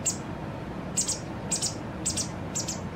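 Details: White wagtail young, two days from independence, being fed by a parent: short, high, sharp double chips repeated about every half second, five times, over faint low-frequency background noise.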